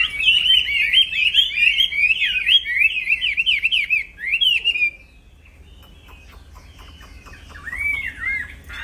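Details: Nonstop 'plong fighter' song from a black-throated laughingthrush used to train songbirds: about five seconds of rapid, tightly linked whistled trills wavering up and down, a near-silent pause, then one looping whistle.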